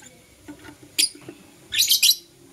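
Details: Blue Opaline and Euwing Opaline lovebirds kissing in the morning, one sharp high chirp followed by a longer rasping, buzzy run of chirps, over soft low chattering notes.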